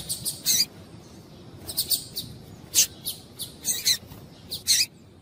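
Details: High, clipped chips from a female coleiro (double-collared seedeater), used to warm up a male to sing, delivered in small groups of two or three notes with short pauses between groups.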